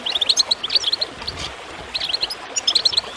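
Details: Goldfinch chirps recorded to encourage birds to sing: two quick runs of clear, piercing notes separated by a brief lull filled with trickling water.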